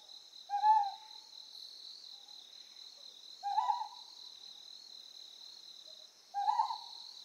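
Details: Calling Ryukyu scops owl, Amami Oshima, Japan, gives three brief hoarse hoots at regular intervals of about three seconds, while a constant shrill insect chorus hums behind.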